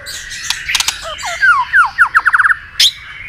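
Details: White-rumped shama singing a fighting song to provoke a rival: a run of quick descending slurred whistles, about eight in a row, accelerating, with harsh buzzy notes before and a sharp click near the end.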